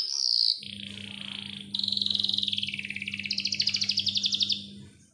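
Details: Canary singing a lure song meant to prompt young canaries and silent ones into song, described as a long clear roll: a high whistled phrase, a lower buzzy stretch, then a fast, even rattling trill, over a steady low hum.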